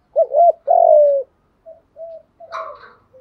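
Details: Spotted dove cooing, played as a lure to draw wild doves: a doubled wavering coo, then a long slightly falling coo, softer short notes, and a brief rougher burst near the end.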